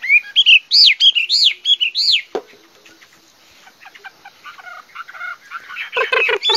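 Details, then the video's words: Chinese hwamei giving a few loud arched whistles that rise and fall, then a sharp sound and a quieter stretch of scattered softer notes, before buzzier notes return at the end. "Singing nightingale. amazing bird song. Garrulax canorus"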